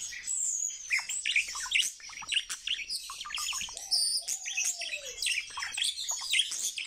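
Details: Trained pet male common starling singing indoors: a dense, fast jumble of high chirps, clicks and whistled notes, with one slow, lower, drawn-out whistle that rises and then falls midway.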